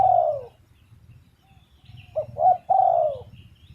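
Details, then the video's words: Spotted dove gives a drawn-out falling coo, then a pause. Two short coos lead into another long, mellow descending note, with a low steady hum underneath. "GELAGAT BURUNG TERKUKUR | SUARA YANG PADU"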